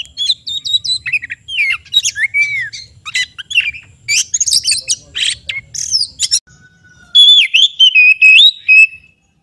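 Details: Kept kacer, or oriental magpie-robin, singing vigorously: varied whistles, chips and harsh notes in quick succession, a brief lull, then loud repeated whistled phrases.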